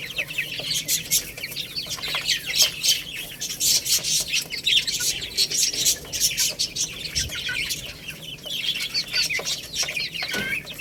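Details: Little chicks eating rice keep up a continuous, busy chorus of shrill peeps, short and falling in pitch, with frequent sharp taps among them.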